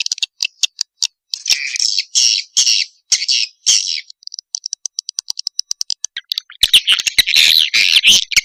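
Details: Swiftlet mating call used to lure swiftlets: buzzy, rasping notes repeated roughly twice a second, a run of fast thin ticks, then a rush of dense chattering and clicking.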